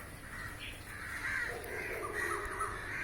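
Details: A large flock of crows lined up on a rooftop, flying and feeding on flying insects; overlapping hoarse caws blur into a steady chorus with a distant low rumble.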